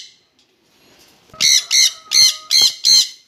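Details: Jenday conure pair together, giving five loud, grating screeches in steady succession, each short and raspy, after a nearly silent start.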